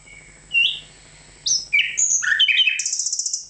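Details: Varied nightingale phrase: separate sharp chirps and slurred notes at different pitches, building into a rapid, high, pulsing rattle near the end.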